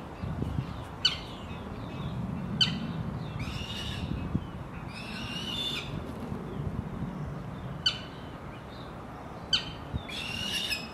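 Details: Black sparrowhawks, adults with 76-day-old juveniles during hunting lessons in the early morning; squealing, harmonic calls in short bursts, some falling in pitch, about every one to two seconds with gaps, over a steady low rumble.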